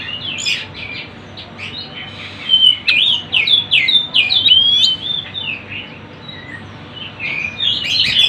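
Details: Sunda bush warbler song used as a lure for wild birds. It opens with soft chirps, then loud, bright, rapidly repeated warbled notes, and ends with quieter twitters.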